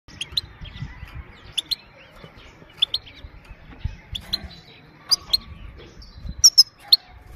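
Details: Female goldfinch giving 'pit pit' calls, used to stimulate males and train young birds: short, sharp, high chips in pairs and triplets, spaced irregularly over soft low background rumble.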